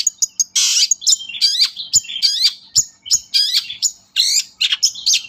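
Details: Long-tailed shrike song used as a lure: a rushed jumble of scratchy, chattering notes, harsh rasps and high whistles, with almost no pause between phrases.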